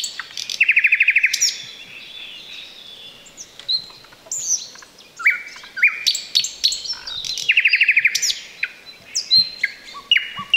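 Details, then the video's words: Thrush nightingale singing close by from bushes beside a road in the Chornobyl Exclusion Zone, a rich varied song with fast rattling clicks, pure whistled notes and sharp chirps, loud and close. "Nightingale sings in the bushes!"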